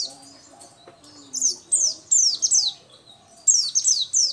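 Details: Energetic singing from a local 'dakun' Oriental white-eye: clusters of very high, quickly dropping chirps delivered in two rapid bursts, with soft lower sounds in the background.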